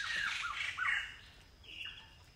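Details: Blyth's paradise flycatcher in community semi-evergreen forest near Kulen National Park, Cambodia, opens with a loud scratchy rasp and two short slurred notes, then fades to a thin high whistle over insect noise.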